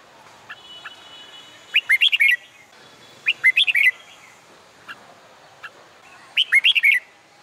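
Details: Song-contest training recording of a red-whiskered bulbul in summer sunshine: three clear bursts of fast, sweet, fluting notes sweeping up and down, each phrase under a second, faint whistles and chirps between.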